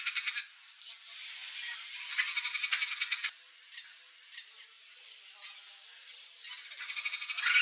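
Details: A young, free-living Turquoise-fronted Parrot (Amazona aestiva) gives harsh, raspy calls in rapid pulsed bursts, with three noisy bouts separated by quieter hissing gaps.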